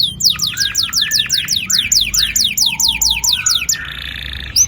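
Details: Canary's long rolling song, played as a lure to get young canaries singing: rapid series of sharp downward-sweeping high notes, repeated roughly twice a second, with a steady lower whistled note partway through and a buzzy close.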